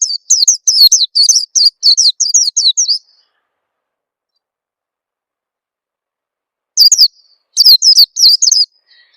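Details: Oriental white-eye lure call, played to get newly caught birds singing quickly: two bursts of rapid, high, thin chirps, each note sliding downward, strung in quick runs separated by a few seconds of silence; no other sounds.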